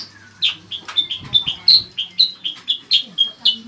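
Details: Energetic Bayeman (cicak kurincang) singing a quick run of clear high chirped notes, roughly four per second, with a low background hum. Recording meant as master song for tutoring cage birds for contests.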